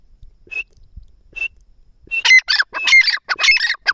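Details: Francolin (teetar) enjoying itself among nearby plants: two faint short notes, then from about two seconds a loud, harsh, grating burst of rapid repeated chattering notes in quick succession.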